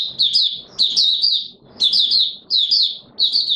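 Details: Mata Puteh Raja, the Oriental white-eye, giving its opening song on 24 March 2022: thin, high tumbling twitters in short rapid bursts, about four phrases in under four seconds, each slightly wavering up and down.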